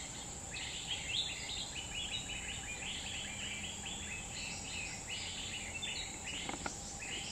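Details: Wild grey-bellied bulbul in forest in Central Kalimantan, Borneo, singing bubbly, chattering phrases of quick rising and falling notes in a steady flow, over a constant high insect drone and forest background.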